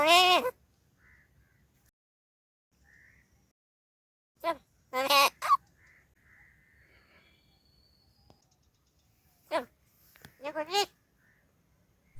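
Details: A pet talking crow in Palghar gives harsh, nasal, speech-like bursts in Marathi, one or two at a time, several seconds apart, answering a person's quiet questions in May, mango season before the rains.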